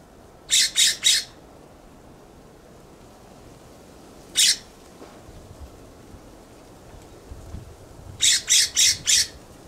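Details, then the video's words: Harsh, loud scolding from a California scrub jay perched on a backyard plum tree. First comes a burst of three raspy notes, then a single note, then a rapid run of four. "California Scrub Jay’s loud Call"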